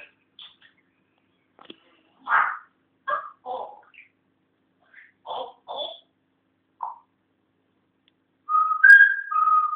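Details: Pet African grey parrot learning to talk, with short speech-like syllables scattered across several seconds, then a clear warbling two-tone whistle near the end; a person's voice talks to it between phrases indoors.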